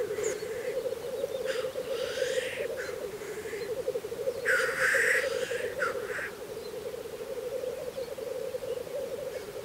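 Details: Black grouse displaying at a spring lek in Russia, with an unbroken, murmuring low rumble of bubbling notes and repeated rasping hisses, one louder hiss midway.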